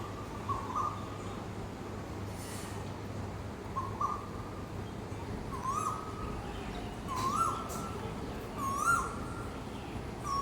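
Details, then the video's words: Asian koel in a park tree on a morning, calling a clear rising note about every one and a half seconds, growing slightly louder toward the end, with steady low background rumble. "कोयल की आवाज़"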